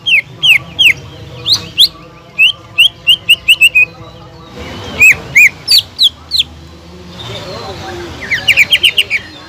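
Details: Caged greater green leafbird in full song, used as a lure for a bird that has stopped singing: whistled notes in descending runs, loud slurred calls midway, and a fast chattering burst near the end.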